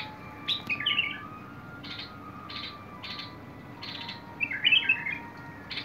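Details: Bulbul song dated 21 August 2022: a brief warbled phrase, then several rasping buzzy notes, ending with another bubbling warble; thin steady hum throughout.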